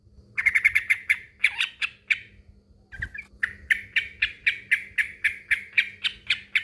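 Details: Fast chatter from a male sooty-headed bulbul calling a rival, a brief pause with a knock, then a steady string of evenly spaced sharp notes, over a faint hum.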